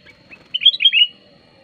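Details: Lure song of a sooty-headed bulbul, used for luring wild bulbuls and as a tutor: soft lead-in notes, then a lively bubbling run of rising and falling warbled notes, with a thin steady whine behind.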